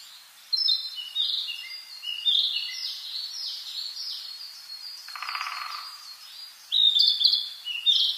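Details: Wild birds in a forest in early summer: several birds overlapping with high twittering and warbling phrases, trills and chirps, a continuous chorus with a brief burst of broadband noise in the middle.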